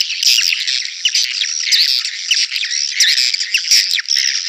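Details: Swiftlet call sound, used to attract swiftlets to crowded swiftlet houses: a dense, continuous chorus of high, rapid chirps and trills with sharp upward sweeps, and no other sounds stand out.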